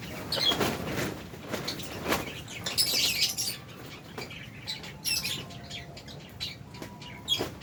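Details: Aviary lovebirds of albino and Fisher's types mix high, sharp chirps with soft wing flapping and rustling, calls coming in uneven bursts roughly every couple of seconds.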